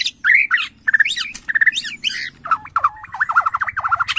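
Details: White-rumped shama of the Borneo form, provoked by a lure recording, singing fast and loud: repeated slurred whistles and sharp upward sweeps, closing with a rapid twisting warble.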